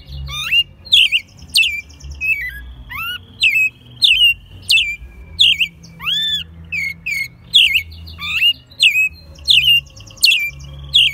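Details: Hand-raised pet American robin singing full voice in Mexico City in March 2020; steady run of short warbled whistles, each capped by a thin high squeak, with occasional longer upward-swooping notes, faint hum behind.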